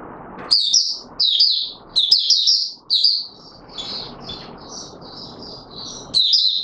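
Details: On 25 January 2022 an Oriental white-eye in courtship mode pours out quick high twittering phrases, loud at first, then softer notes over background hiss before a final loud burst.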